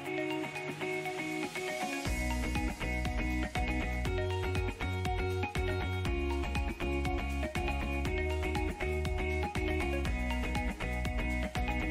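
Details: Steady instrumental music with a strong bass beat plays throughout, with no animal calls heard.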